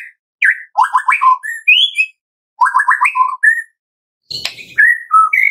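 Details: White-rumped shama song used as a lure to make other shamas sing, with the crackling kretekan style: clear whistled phrases and quick rising-falling notes in bursts, separated by short pauses, with one harsh rasping burst near the end.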